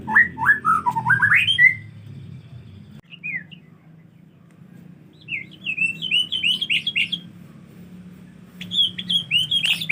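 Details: White-rumped shama in the rainy season, avoiding its bath, sings tumbling whistled phrases of quick rising and falling notes, pauses, then returns with fast chattering runs over a low background hum.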